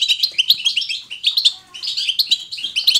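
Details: Lively natural batbata of a European goldfinch, selected to stimulate other goldfinches to sing: quick bright chirps and liquid twitters in tight bursts, a brief lull near the middle, then the fast tinkling resumes.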